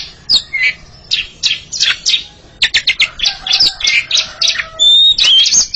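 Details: Oriental magpie-robins, a pair dueling in song, pouring out dense chattering chips that build into long clear whistles and warbled phrases toward the end.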